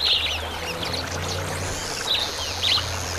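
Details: Southern masked weavers, two males at a nectar feeder, give a few brief harsh chattering bursts, one at the start and two near the end, over a constant low droning hum.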